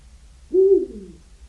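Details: A Eurasian eagle-owl gives a single deep, mellow hoot lasting about half a second, falling slightly at the end, over a faint low rumble.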